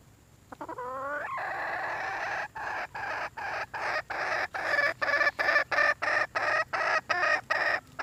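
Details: Red junglefowl hen seeking a mate opens with a short wavering squawk, then a sustained harsh note breaking into a rhythmic series of rough, buzzy cackles about three per second.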